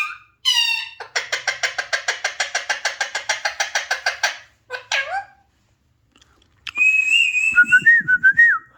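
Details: Alexandrine parakeet vocalising: a fast train of about twenty clipped, buzzy notes, then a brief squawk, silence and a wavering whistled phrase.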